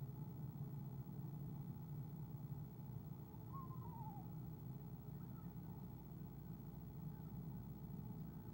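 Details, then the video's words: Eastern screech owl, 17 February 2015, nest camera: a soft wavering trill lasting under a second, falling slightly in pitch, given as its mate comes, with a faint later note and steady low rumble. "ESO Athena soft trills Mr A comes 2 times"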